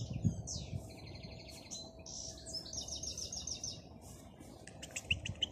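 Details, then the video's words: Wild European goldfinch in song outdoors, giving fast buzzy trills and rolling twittered phrases high in pitch, ending with a burst of rapid clicking chips, with constant low background rumble and a faint steady hum. "Chant chardonneret dans la nature غناء الحسون في الطبيعة"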